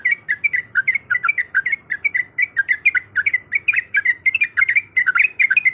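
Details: Fighting song of a yellow-vented bulbul, meant to set other bulbuls singing: a continuous stream of loud, choppy, warbled notes that sometimes doubles into quick pairs, over a faint high hum.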